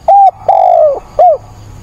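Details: Spotted dove used as a decoy, calling during a rainstorm on 28 October to stir wild birds: a short level coo, then a drawn-out coo sliding gently downward, then a brief falling coo.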